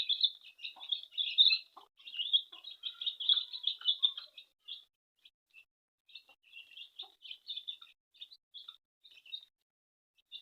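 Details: Domestic chicks calling while a mother hen feeds them in a house; dense, rapid high-pitched peeps crowd the first few seconds, then thin out into scattered single cheeps with quiet gaps.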